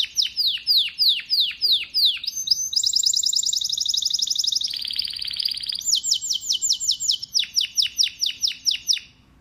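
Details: Domestic canary, a pet form of the wild canary, singing; only males sing. Rapid series of descending whistled sweeps, then long buzzy high rolls and a lower trill, returning to repeated sweeping notes, each phrase quick and bright.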